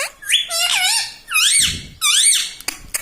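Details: Pet parrot mimicking words such as "mitthu" and "mummy": three loud, squeaky, nasal phrases, each rising then falling, with a brief low rumble and a sharp click near the end.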